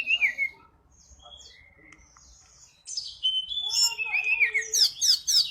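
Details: Sunda robin in full song, suited as a lure for other birds: an opening slurred whistle, a quiet gap with soft notes, then dense, loud, rising and falling whistles with sharp high accents.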